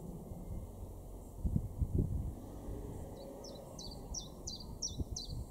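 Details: Common Chiffchaff singing in a garden in Weener, East Frisia, far northwest Germany, May 2022: a run of about seven high, clipped, downward-sliding notes repeated steadily, starting after three seconds, preceded by low thumps and background rumble.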